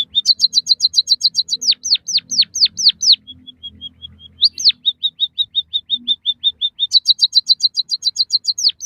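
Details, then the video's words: White-headed munia song played to stimulate and train captive birds: rapid runs of bright chirps, a series of sharply down-slurred notes, a thin steady whistle, then quick repeated chirps and another fast high trill. No other sounds. "suara burung emprit kaji gacor masteran burung pipit bondol haji biar ngeroll"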